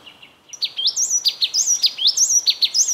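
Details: Yellow tit recorded with a Canon EOS 7D: after a faint start, high thin notes dropping into buzzy rising slurs, repeated about three to four times a second in a quick, clean series.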